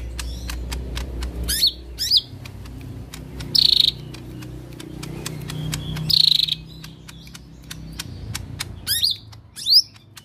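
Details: Lesser green leafbird singing actively in the harsh 'tembakan kasar' style: short, loud, buzzy bursts high in pitch, spaced a couple of seconds apart, over steady rapid ticking clicks and a low background hum.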